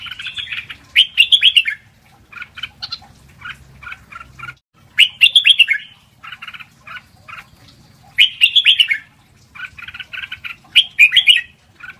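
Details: Lak wai style song of a red-whiskered bulbul, used for training young birds: loud rich warbled phrases recur about every three to four seconds, with short soft chattering notes filling the gaps, low hum beneath.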